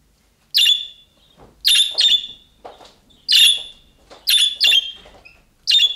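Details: Calling-style budgerigar calls like those of young birds, meant to prompt other budgerigars to answer. About seven harsh, buzzy chirps, some in quick doubles, at uneven gaps, with faint soft rustling in the background.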